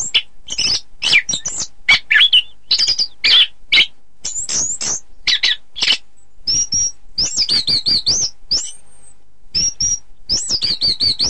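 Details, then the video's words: Orange-headed thrush singing, recorded as training material for contest birds. Quick varied chirps and harsh notes lead into high, clear whistled phrases that rise and fall in wavy trills toward the end. "Suara Kicau Burung Anis Kembang"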